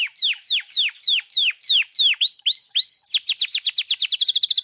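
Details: [1, 'Master recording of songbirds for training contest birds, in full-length rapid bursts: repeated downslurred whistles about four per second, then a faster run of rising chirps that speeds into a rapid trill.']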